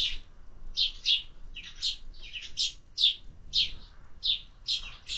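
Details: Crisp sparrow chirps during summer feeding, around a dozen in five seconds, often doubled, each short and bright, with near silence between.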